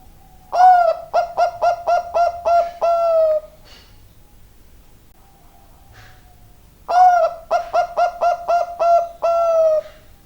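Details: Bangkok-type zebra dove singing energetically, giving two full cooing phrases about six seconds apart. Each opens with a short note, runs into a quick string of clipped coos, and closes on a long, slowly falling note, against quiet surroundings.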